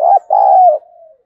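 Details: Spotted dove kept as a decoy, its harsh, scolding "thổ"-style cooing meant to provoke wild doves: a short hoot, then a long loud throaty coo trailing off into a soft fading tail.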